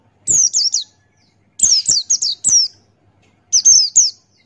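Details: Buxtoni white-eye male singing ngalas with open beak, recorded for tutoring: loud, clean phrases of three or four rapid, high falling whistles, each phrase separated by about a second of silence.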